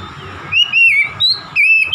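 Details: Oriental magpie-robin giving three loud whistled phrases in two seconds, each a bright note that dips or rises, over a faint low hum.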